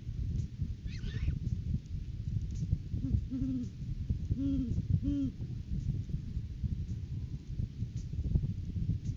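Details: Great horned owls at their nest tree during courting season, caught on a live cam on 9 January 2023, when the male brings a rodent gift to his mate. Three low, arched hoots sound about a second apart over a steady rumbling background.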